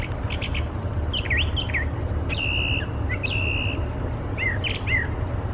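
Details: A brown thrasher, singing persistently and known to imitate other species (American robin, northern flicker, red-bellied woodpecker, red-winged blackbird), gives a varied run of short, slurred and whistled phrases, several given twice in quick succession, over a steady low rumble of wind or distant traffic.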